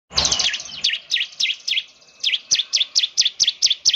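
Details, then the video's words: Bar-winged prinia, a ciblek, singing so actively that it is said to set other prinias calling: a rapid series of high, sharp, chipping notes, about a dozen in four seconds, pausing briefly midway. "ciblek semi gacor, sangat terbukti bikin ciblek lain ikut bunyi nembak nembak"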